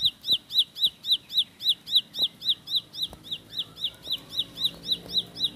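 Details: Fast rolling 'tembakan' song of a Bar-winged prinia (ciblek sawah): a continuous string of shrill, down-slurred high chips at a quick even pace, loud at first and slightly softer later, with little other sound.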